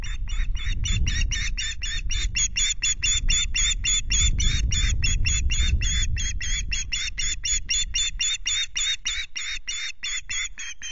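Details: Nest-camera recording of an osprey at RSPB Loch Garten, 26 May, around a half fish delivery. Insistent high piping calls repeat fast and steadily for the whole stretch, with low wind buffeting underneath.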